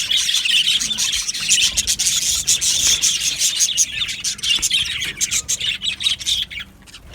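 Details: Aviary budgerigars twittering in a dense chorus of high, clicky chirps and warbles that thins out and becomes choppier toward the end.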